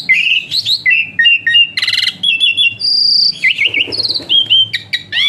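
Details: Asian pied starling singing a varied medley for tutoring other birds: bright warbled whistles, a sustained high steady note, a harsh buzzy burst and rapid downslurred chirps, all tightly packed.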